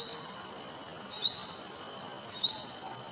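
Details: Olive-backed sunbird, also called yellow-bellied sunbird, singing while sipping nectar: short, sharp, high chirps, each a quick rising slur followed by a brief buzz, repeated about every 1.2 seconds over a steady thin high-pitched whine in the background.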